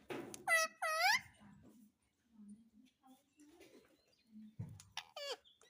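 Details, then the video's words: Talking parrot said to speak "mummy papa", giving two loud, harmonic-rich bursts with sweeping, falling tones early on and another near the end, separated by quiet low murmurs of background voices indoors. "Parrot Speaking Mummy Papa _ Talking Parrot _ Parrot Mummy Mummy Bolne Vala"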